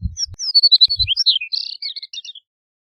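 A Chestnut-collared Longspur sings a rapid, tinkling warble of high, sweet notes, about two seconds long, tumbling downward at the end; faint low thumps at the start.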